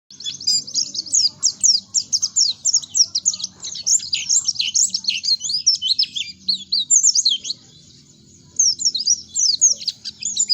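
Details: Oriental white-eye song, played as a lure to get untrained birds singing quickly: rapid high, thin twittering of sharp descending chirps, nearly continuous, with a short pause near eight seconds before the chatter resumes; faint low hum beneath.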